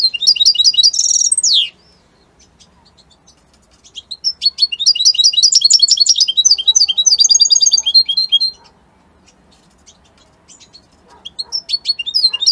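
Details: European goldfinch, called Italian, in strong song: a loud, buzzy, chattering phrase with a harsh, downward-sliding ending, a pause, then a long, rapid, tinkling trill sequence, quiet again, and fresh chirps at the close.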